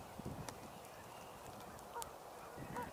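Northern Pintails call with two short, soft fluty whistles about a second apart, over a low murmur of distant waterfowl and outdoor noise.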